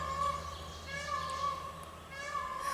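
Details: Peacock (Indian peafowl) heard from a farm blueberry grove in Vermont in spring, giving loud, drawn-out, nasal wailing calls, about three in quick succession, over a low rumble of passing traffic.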